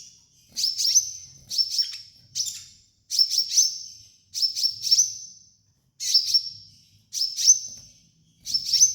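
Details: Sunbird song used as a master for training and therapy to make birds sing. Very high, thin phrases of sharp ticking notes run into a sustained shrill tone, repeated about once every second in a quiet setting.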